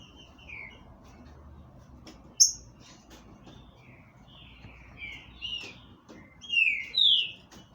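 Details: Captive green-winged saltator from a Brazilian breeder giving short, clear whistled phrases. The phrases are slurred and some rise or fall, spaced by pauses of about a second, and get louder near the end over a quiet background.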